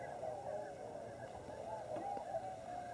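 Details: Wintering Tundra Swans (Cygnus columbianus) massed at Lower Klamath National Wildlife Refuge on the Oregon/California border, many birds giving overlapping hooting, honking calls in a steady chorus, with a few sharper notes standing out briefly.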